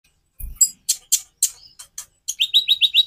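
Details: White-rumped shama song offered as varied material for other songbirds to learn: a low thump, then sharp high broadband chips, closing with a quick series of five rising whistled notes.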